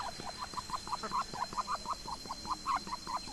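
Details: Muscovy duck (Cairina moschata) eating grass in a garden in the morning, released from its pen: a quick run of soft, muffled clucking notes, about five per second, over a faint steady high whine.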